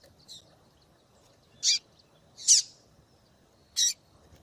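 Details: A female double-collared seedeater calls to excite a male. She gives a faint note, then three loud, short, harsh chips at uneven intervals in an otherwise quiet setting.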